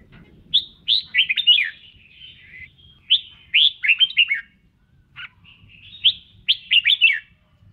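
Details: Red-whiskered bulbul singing while dancing during voice training: short bright whistled phrases of three to five quick rising-and-falling notes, repeated about every two to three seconds with pauses between, clear and loud against a quiet background.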